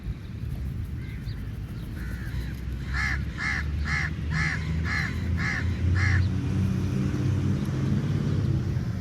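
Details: Crow, described as angry, feeding on meat, giving a run of harsh repeated caws, about two per second, after a couple of softer calls, over steady low-pitched background rumble.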